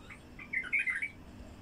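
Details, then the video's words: Wild bulbul song used to attract other wild bulbuls: one short, bubbly burst of warbled whistled notes lasting under a second, over a quiet background. "تغريد بلبل وحشي لفتح البلابل الوحشية القافله"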